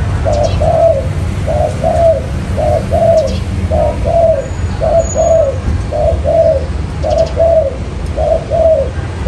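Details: Spotted dove lure call in the 'mailai' style, used for trapping wild doves: low mellow coos in short-then-long pairs, repeated steadily nearly once a second over a constant low rumbling background hum.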